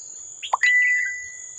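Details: Wild red-whiskered bulbul near a decoy trap, 18 July 2024: one quick cluster of slurred chirping notes that slides downward, with a steady thin whistling tone running beneath it and a high insect hum behind.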